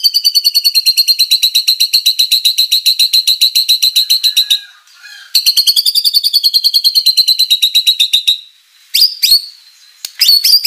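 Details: White-rumped shama in energetic full song with fill-in material, played to prompt rival birds to respond; two long, rapid, even high trills, each several seconds, separated by short pauses, ending with sharp upslurred whistles.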